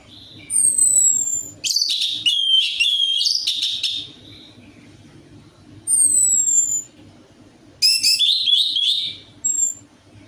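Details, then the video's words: Orange-headed thrush lure song meant to get a bird singing: several long bursts of dense, varied high warbling interspersed with thin descending whistles, faint low hum between phrases. "DENGAN PANCINGAN ANIS MERAH AMPUH INI, ATASI SUSAH BUNYI ANIS MERAH"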